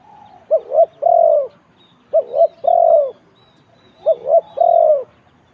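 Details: Spotted dove in a cooing competition, round 41, repeating a three-part phrase three times: two quick wavering coos then a longer falling coo, about every 1.8 seconds; quiet background.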